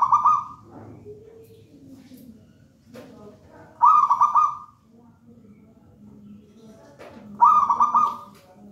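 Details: Zebra dove of local wild origin, taken from a nest in a raja banana plant, sings boldly: three loud pulsed, rolling coo phrases spaced about three and a half seconds apart, with low murmuring in the gaps.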